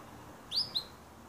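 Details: Canary singing naturally: two short, bright, high chirps, the first a quick curving sweep and the second a briefer note, over a faint steady background hiss.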